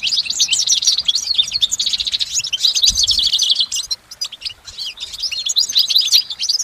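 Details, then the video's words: Goldfinch in nature singing at length without interruption: rapid, bright liquid twittering and buzzy trilled phrases run together, with a short quieter dip near the end, then the song resumes. "Exceptional recordings of the goldfinch in nature"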